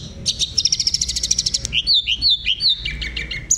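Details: Hill blue flycatcher master song used as tutor material for training caged birds: rapid high buzzy trill of repeated notes, then clear slurred whistles stepping down in pitch, ending in a sharp high note.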